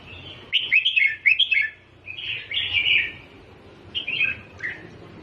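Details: Red-whiskered bulbul singing a chick-teaching song in 'double' style: quick chirpy warbled phrases in clusters, each about a second long, separated by short pauses over low background hum.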